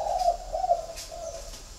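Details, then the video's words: Spotted dove in a caged flock at a bird garden in Ba Vì, Hanoi, Vietnam: two quick, soft low coos, then a fading, drawn-out note. "Nhà chẳng có gì ngoài đàn CHIM CU GAY"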